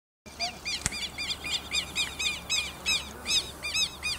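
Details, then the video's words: Southern lapwing calling outdoors: a series of short, harsh arched notes repeated roughly twice a second, fairly distant over a soft background hiss. "quero quero"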